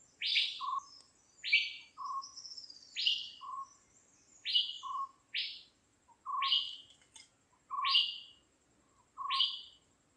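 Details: Dark-fronted babbler, while finding its meal, giving a repeated two-part call, a low short note and a higher sweeping chirp, about every one and a half seconds, over a faint high insect hum.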